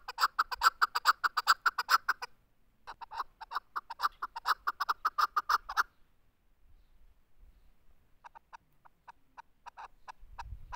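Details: Chukar partridge giving its rapid clucking call: bursts of loud, evenly spaced chuck notes, several a second, broken by short pauses, with a fainter series near the end.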